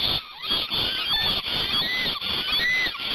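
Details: Black storks at a nest in Gemenc, Hungary, filmed on 21 May 2019 at 10:06 AM during a parent change-over: dense overlapping rising whistled notes with harmonics, wheezy and continuous.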